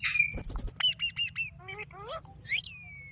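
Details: Green parrot chirping with sparse clear whistled notes, a few short chirps, a descending run of buzzy notes, then a falling whistle, over a constant high electronic tone.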